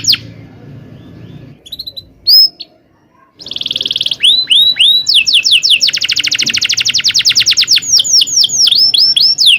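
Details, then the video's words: Canary singing its long rolling tutor song, meant to prompt other canaries and teach young ones. After a quiet start with a few isolated chirps, it breaks into rapid slurred notes, then a dense buzzing roll and sweeping whistles. "kenari gacor panjang cuit cuit ngerol ini ampuh buat PANCINGAN KENARI paud belajar bunyi"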